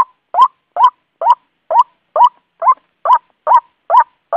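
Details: White-breasted waterhen male calling for a female, giving harsh, upward-hooked notes in a regular run, a little over two per second, in a clean recording without background noise.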